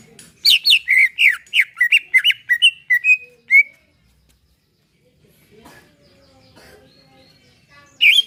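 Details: Caged greater green leafbird's relaxed song used to prompt singing: a quick burst of varied chirps and whistled slurs lasting a few seconds, then near silence with faint background sounds, and a new phrase at the very end.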